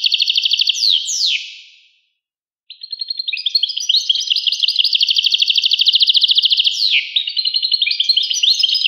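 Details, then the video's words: European goldfinch delivering long bursts of high, rapidly repeated tinkling trills and twitters, broken by downward-sweeping notes and one silent gap of about a second. "carduelis carduelis 💥goldfinch or the European goldfinch in colloquial speech"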